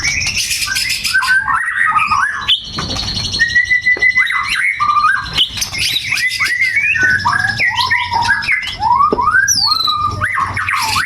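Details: Captive white-rumped shama (murai batu) singing a varied song filled with imitations of brewes and cucak jenggot (bulbul) calls; loud, rich whistles, rising and falling slurs, sharp chips and trills in rapid, continuous delivery.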